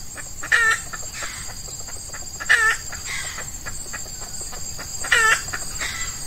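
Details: Red junglefowl, F1 hen decoy calling to entice an old wild male in early morning heat during Ramadan; three abrupt clucking bursts spaced about two and a half seconds apart, faint softer notes and a continuous insect whine.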